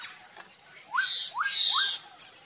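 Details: Black-capped donacobius singing three quick upslurred whistles, about three per second, with a rasping buzzy layer above them, after a quiet, faint start.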